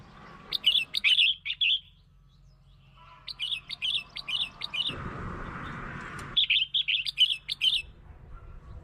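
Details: Red-whiskered bulbul singing to lure and provoke birds: three phrases of four to six quick, chirpy warbled notes each, with a brief low rumbling noise between the second and third phrase.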